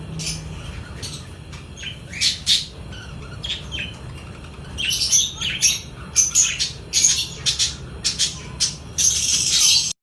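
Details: Budgerigar breeding colony of 100 pairs, many birds calling together: rapid high chirps and harsh squawks in irregular bursts, growing busier and louder toward the end.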